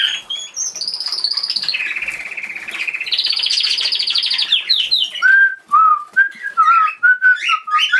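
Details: Pet cockatiel makes high slurred whistles and long warbling tones, then drops to lower, clear whistled notes repeated in a tuneful sequence.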